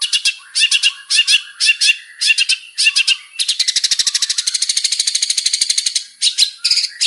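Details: Long-tailed shrike male singing a varied lure song: short grouped phrases of scratchy notes give way to a long rapid chattering trill, ending in further choppy phrases.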